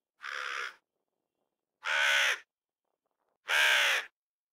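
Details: Crow giving three harsh, drawn-out caws, each about half a second long and spaced roughly every one and a half seconds, against a silent background.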